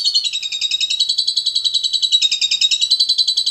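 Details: Starling giving a continuous harsh, rapid pulsed chatter, about three to four buzzy notes per second, steady and unbroken throughout, with no other sounds.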